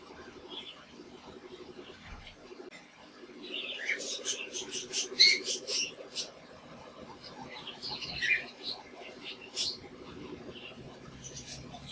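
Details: Caged budgerigars, several birds, giving bursts of sharp high chirps and squeaky warbles between quieter stretches, over a constant low hum.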